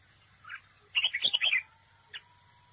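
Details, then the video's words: A red-whiskered bulbul used as a decoy at a trap sings competitively: one soft note, then a rapid, tumbling phrase of bright warbled notes lasting about half a second, followed by a lone short chirp. "chào mào mồi đấu bẫy, hót đấu"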